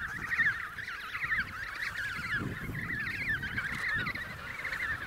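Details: Emperor penguins at Snow Hill calling in a crowd: many overlapping wavering, warbled calls rise and fall together in a dense, steady chorus, with a low rumble of wind or movement beneath.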